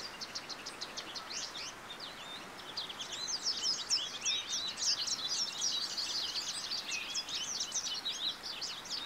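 American goldfinch song: a rapid, jumbled stream of high twittering and sweet warbled notes, growing louder and denser midway, over a soft steady hiss.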